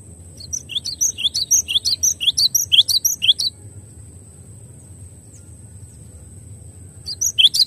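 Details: Cinereous tit singing for a songbird-training recording. A run of ringing high double notes, about two per second, lasts some three seconds, followed by silence and then a fresh start of the same phrase near the end; faint steady whine.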